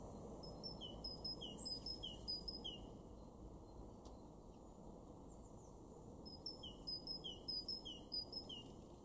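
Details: Great tit, a garden bird in Weener, East Frisia, far northwest Germany, in March 2024. Clear whistled two-note phrases, high then lower, repeated about five times in a run, a pause, then another run, over steady low background hum.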